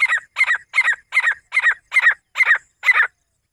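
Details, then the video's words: Rapid series of eight loud, rasping, two-part notes from a female grey francolin, evenly spaced at roughly two and a half per second before stopping abruptly. "shamsh teetar ki awaaz jungle titr sound Grey female teetar ki video partr ki awaaj"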